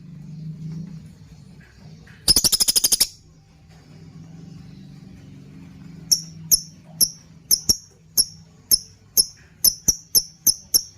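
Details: Lovebird 'ngekekekeke' lure for training birds: a fast rattling burst of harsh notes, a quiet pause, then sharp high chirps that speed up toward the end.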